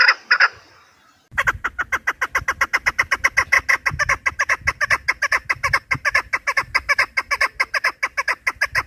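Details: Chukar partridge call used to lure birds when hunting: a brief pair of notes, a short gap, then a long rapid train of harsh chuk notes over a low rumbling background.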